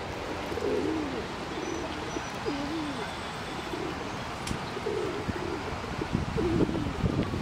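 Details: Ducks calling among themselves: short, soft, low nasal notes bending up and down, given in loose bursts about every one to two seconds, over a steady rumbling outdoor background noise.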